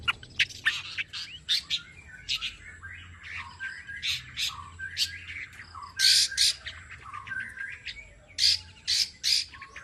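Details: Tame long-tailed shrike singing a varied song, used as a prompt and tutor for other birds: mixed harsh squawks, short chirps and scratchy notes, with louder rasping bursts near the end; faint low background hum.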